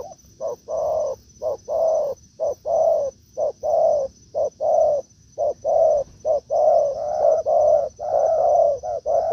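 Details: Spotted doves in a forest, a decoy bird facing a wild dove after a week of outings: fast exchanges of low hollow coos, short notes paired with longer drawn ones, about one per second, with a steady high whine behind.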